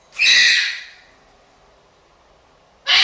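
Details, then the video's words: Blue-and-gold macaw kept as a pet with a sun conure and a parrotlet, loud when bored; one very loud, harsh shriek lasts about half a second, silence follows, then another shriek begins at the end. "making a lot of noise when bored"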